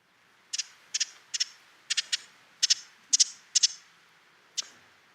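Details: A wintering Ruby-crowned Kinglet gives its one winter call, a contact and alarm call. These are dry, high chit notes, mostly in quick doubled pairs, about twice a second, against a quiet background.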